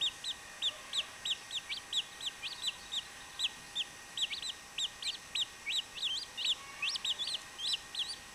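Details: Young chachalacas peeping softly, thin upward-sweeping notes repeated in an uneven stream that becomes busier and more overlapping after the midpoint.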